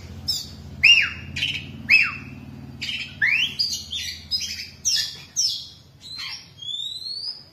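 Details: An Oriental magpie-robin kept caged for 10 years sings a varied run of loud, clear whistles, rising slurs and scratchy notes, about one phrase every second; a low hum underneath.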